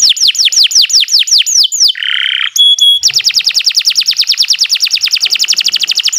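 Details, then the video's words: Tutor recording of a canary singing at length for birds that no longer sing: descending whistled notes quickening, a rasping buzzy segment, two pure whistles, then a long even rapid trill. "Kicau Burung Kenari 156 II LUAR BIASA GACOR PANJANG Cocok untuk Masteran"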